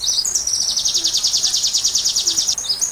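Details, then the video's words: Sunbird singing, used to train a white-rumped shama. A fast, continuous high trill of sharp repeated notes is set against a background hiss like rain. "Masteran Rajanya Isian Kolibri"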